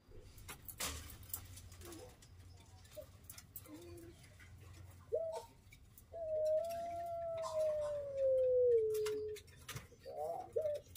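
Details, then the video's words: Adult breeding-stock pelung chicken kept in a pen, giving one long, smooth, tonal crow about three seconds long that holds steady and then slides gently downward. Soft clicks, knocks and faint background noise come before and after it. "puter pelung indukan"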